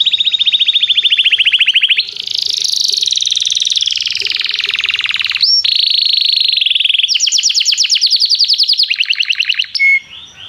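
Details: Singing canary in song training, calling a companion to sing: long rapid trills that shift in pitch from phrase to phrase, with a brief high whistled note between sections.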